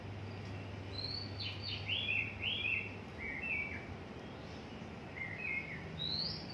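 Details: Oriental magpie-robin still being trained in its song, giving short, high whistled phrases that slur up and down, spaced across several seconds over a steady low hum and background noise.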